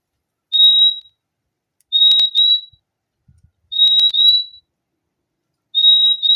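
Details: Repeated high whistled paired notes from a purple-throated euphonia, four couplets at irregular intervals of roughly one and a half to two seconds, clean and bright, with faint low knocks in the pauses.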